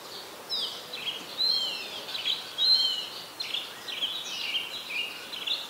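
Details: Chestnut-headed Bee-eater (Merops leschenaulti) adults in Ubon Ratchathani, Thailand, in January: high, rolling trilled notes in quick, overlapping bursts, as if several birds are calling together, over a faint steady background hiss.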